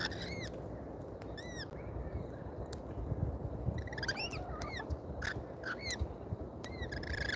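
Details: Lorikeets at a feeder in Australia give shrill, screechy calls that arch up and down in pitch, in short bursts every second or so, over a steady low rumble of background noise.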